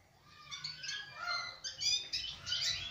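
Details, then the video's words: Small sparrow giving a loose string of bright chirps and short twittering notes, growing louder toward the end, with a quiet low rumble of background noise. "ak chote aur Pyaari chirya (Sparrow) 🕊️ aur us ki Pyaari awaz"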